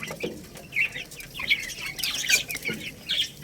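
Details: Young Lohmann Brown chicks, a growing little rooster and baby hen, eating rice; short high peeps come in irregular bursts, a few per second, over a steady crackle of pecking clicks.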